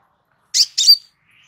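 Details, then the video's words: Crimson sunbird heard on a relaxed training recording for cage birds: a single pair of high, scratchy chirps, the second ending in a thin whistled note, with silence around them. "Suara SANTAI Kolibri Sepah Raja"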